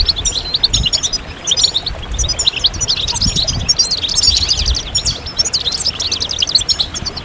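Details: European goldfinches in a lively group chorus meant to stimulate singing: sustained high twittering with fast repeated trill notes, tinkling chirps and buzzy phrases from several birds, faint low rumble underneath.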